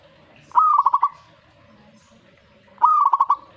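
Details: Zebra dove responding to a master recording with two matching song phrases about two seconds apart, each starting with a rising note that breaks into rapid, evenly spaced bubbling coos; quiet room-like background between phrases.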